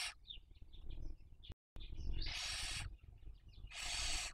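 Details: Barn owl at a nest in Cabañeros National Park, Spain, filmed by webcam in the 2023 breeding season while raising young. A run of quick, high chirping notes leads into two long, harsh hisses.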